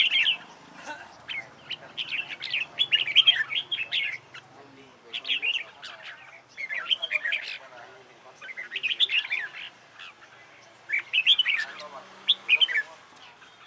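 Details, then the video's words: Red-whiskered bulbul practising hót đấu, the competitive fighting song: four bursts of rapid, bubbly whistled and chattering notes, each about two seconds long, separated by short pauses, with a faint low hum early on. "CHÀO MÀO HÓT ĐẤU HAY"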